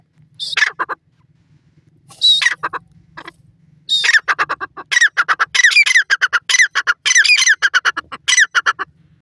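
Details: Loud, harsh squawking calls of a grey francolin, first as two short separate bursts, then a long, rapid series of repeated ringing notes with rising harmonics, over a faint steady low hum.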